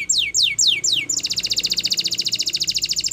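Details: Spanish Timbrado canary singing a training song for other canaries: four quick descending whistled sweeps, then a long, even, very rapid high trill of metallic repeated notes.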